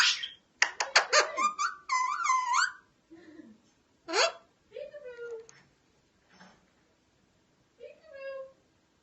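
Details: Talking Alexandrine parakeet opens with a dense rapid string of clicky, speech-like syllables and a wavering harmonic phrase, followed by softer isolated words and a few drawn-out mimicked tones separated by silences.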